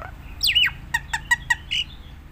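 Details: Nias hill myna in lively full song, used as a lure for training other mynas: a bright whistle sweeping down, then four short harmonic notes spaced about a fifth of a second apart, ending on a short level whistle; low hum underneath.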